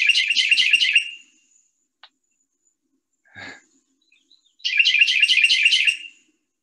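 Carolina wren song: two loud bursts of rapid, rolling triple-note phrases, ringing and bright, each lasting about a second, separated by a pause with a faint click.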